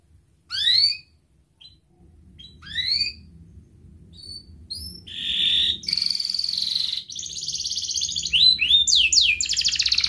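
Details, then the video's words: A canary starts with a few separate upward chirps and scattered thin notes, then bursts into continuous ngerek-style song of buzzy rattles and fast trills, played as a lure for young and lazy canaries. "Kenari Gacor Ngerek Menekan Lawan Ahlinya pancingan Kenari paud belajar Bunyi dan Kenari Malas Bunyi"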